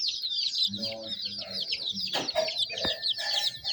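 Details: Baby chicken chicks chirping: a dense chorus of soft, high, quick peeps overlapping nonstop, with a few lower murmuring notes and a brief thump.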